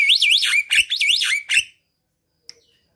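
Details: Javan myna song used to coax lazy mynas to sing: loud, rolling whistles that rise and fall in loops, stopping abruptly, followed by near silence and a single faint click.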